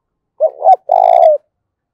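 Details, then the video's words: Spotted dove with a deep "thổ" style voice, calling to provoke fighting: a wavering double coo then a long steady coo, loud and close. "cu gáy thúc đấu, tieng cu gay kich boi nhanh noi. cu gáy giọng thổ pha"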